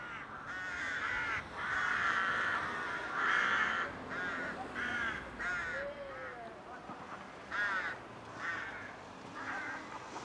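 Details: Rooks courting in a rookery: harsh, hoarse caws in bursts, several birds overlapping, with a low background murmur throughout.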